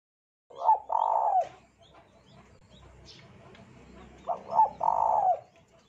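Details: Lure recording of a spotted dove meant to prompt other doves to sing. Two mellow cooing phrases, each a short double note followed by a sustained coo, about four seconds apart, over quiet background noise.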